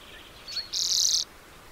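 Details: Lesser redpoll call: a single high, harsh buzzy note about half a second long, preceded by a faint thin tone, against a low background hiss.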